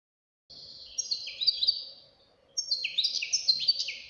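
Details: Young European goldfinch, a fledgling kept as a caged singer, delivering two bursts of bright, rapid twittering song, with quick descending and rising notes high in pitch, separated by a short pause; faint steady hum underneath.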